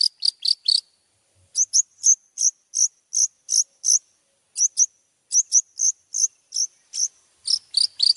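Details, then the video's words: Long-tailed shrike master song for bird training: short bursts of sharp high chips with brief pauses, then a long evenly spaced series of clear slurred notes, ending in a quick cluster. "masteran cendet juara"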